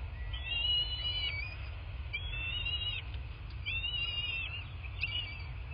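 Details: At a southwest Florida bald eagle nest, nest cam, 8 March 2024 at 11:00: three or four high whistled phrases, each a sustained piping note with a short drop, separated by brief pauses, plus low background noise.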